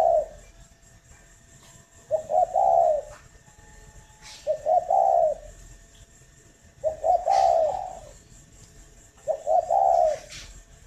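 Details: Spotted dove at a Hanoi-area breeding farm, Vietnam, in the morning, repeating soft low coos about every two and a half seconds, each phrase opening with brief notes before a fuller, falling coo.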